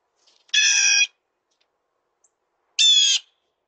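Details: Blue jay giving two loud, harsh, nasal squawks a little over two seconds apart, each about half a second long with a rich, layered tone, against an otherwise quiet background.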